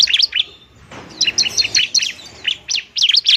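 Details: Fighting bar-winged prinia, a lure to spur lazy birds into song: quick clusters of high, sharp chirps and twittering notes, a brief pause near the first second, then dense rapid phrases to the end.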